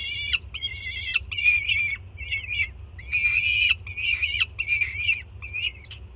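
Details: Peregrine falcon chick in Jersey City screaming with excitement as its mother arrives carrying breakfast. Uneven harsh screeches and choppy, wavering squeals overlap, some long and some clipped. A low hum sits beneath the calls.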